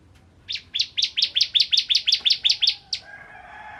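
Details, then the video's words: Bar-winged prinia, the ciblek kristal from Indonesia, singing as a lure for other prinias: about a dozen loud, high, ringing chirps in quick succession, slightly uneven, then a fading hiss of background noise. "Burung Ciblek Kristal Gacor Untuk Pancingan Burung Ciblek Semi Ciblek Gunung Dan Ciblek Kristal"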